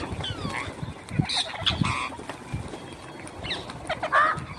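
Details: Parrots kept indoors in a house, giving several short harsh harmonic squawks and chattering calls in scattered bursts, with low household thumps and rustling underneath.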